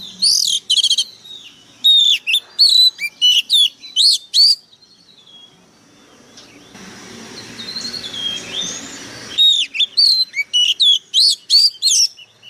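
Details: White-rumped shama delivering bursts of loud, rapid whistled and chirped phrases, with a pause in the middle where faint background noise and a distant bird are heard, then the rapid phrases resume.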